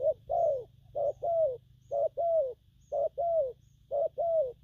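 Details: Newly wild-caught spotted dove cooing in the gù phóng, gù kèm and gù lăn styles. Clear mellow coos in pairs, a short note followed by a longer slurred one, repeated about once a second over a faint low hum.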